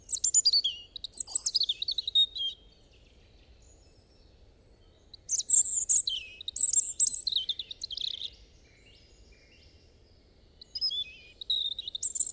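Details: European robin singing three separate phrases of high, fluting whistles and fast trills, each about two to three seconds, separated by pauses of a few seconds of quiet.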